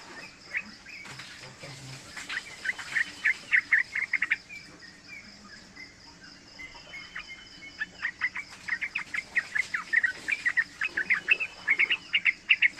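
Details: Yellow-vented bulbul, a three-month-old bird, sings for luring and tutoring young birds. A long bubbly run of quick chattering notes starts, pauses, then builds again into dense rapid bursts toward the end.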